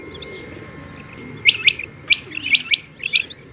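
Female rain quail giving sharp, high chirping notes, single and paired, about one a second after a quiet start; a faint steady whine runs underneath.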